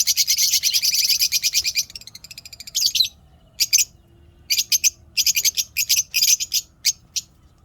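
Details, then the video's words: Caged African lovebirds in a breeding setup give morning calls: rapid, shrill high-pitched chirps, a dense buzzy burst at first, then sharp squeaks in quick clusters with brief pauses. "love birds Satisfying sound effect"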